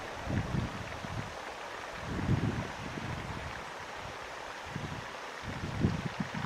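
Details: Wind buffeting the microphone in gusty low rumbles over steady hiss; no animal sounds.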